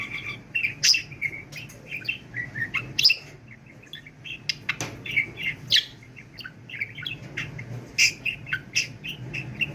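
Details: Nonstop chatter from a pet budgie, quick grating syllables, thin high squeaks and clicks in rapid succession, sounding like continuous muttered talk.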